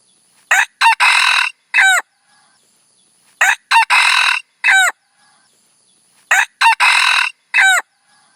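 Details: Red junglefowl decoy crows, used to attract wild fowl: three rounds of a choppy crow, each made of two quick notes, a longer hoarse burst and a ringing harmonic call, spaced roughly three seconds apart.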